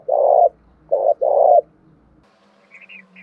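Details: Spotted dove cooing, played to stir a dove into cooing quickly: three low, hollow coo notes, a short one then a longer pair, followed by faint murmuring and a few soft higher chirps.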